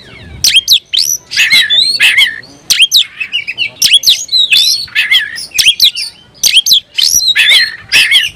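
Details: Caged oriental magpie-robin (kacer) singing energetically with tail spread, working up aggression and calling a rival to fight: loud, rapid run of varied whistles and sharp chirps, rising and falling notes packed closely with brief gaps.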